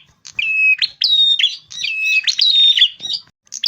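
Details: Rufous-fronted prinia song used as a trapping lure, delivered as a continuous chattering run of high steady whistles that alternate between a lower and a higher pitch, broken by crackling buzzy notes. No background noise.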